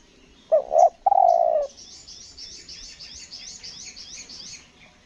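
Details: Spotted dove decoy for trapping on Lombok gives one stuttering coo phrase, a broken double note then a long falling coo, after which a fast series of thin high chirps from another small bird continues.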